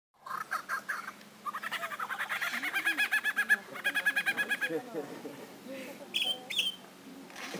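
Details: Superb lyrebird at Healesville Sanctuary mimicking various sounds: a fast, chattering run of sharp repeated notes, about three per second, building in loudness midway and then breaking into scattered higher whistles and chirps, with faint human voices underneath.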